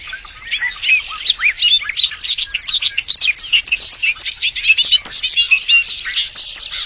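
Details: Searching for a mate, a male bird pours out a fast, jumbled song of high twittering, squeaks and looping whistles, steady and continuous throughout.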